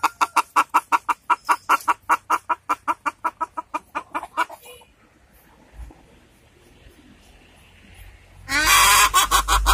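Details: Hen calling while looking for a comfortable place to lay an egg: a fast run of short, harsh clucks repeated about three times a second, slowing and fading, then quiet, ending in a burst of loud rustling noise.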